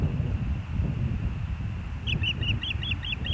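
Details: Ospreys at the Hellgate nest on 06/09/2024 at 13:17. Low wind rumble at first, then from about two seconds a rapid run of about seven shrill chirped whistles.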